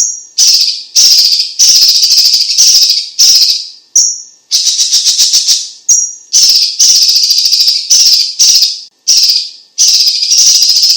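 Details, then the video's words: Chinese leafbird (cucak ijo cina, cucak cungkok) in vigorous song for tutoring and prompting: a long run of harsh, buzzy, rattling phrases, broken every few seconds by brief pure high whistles. "Suara Ocehan BURUNG CUCAK IJO CINA Gacor - CUCAK CUNGKOK"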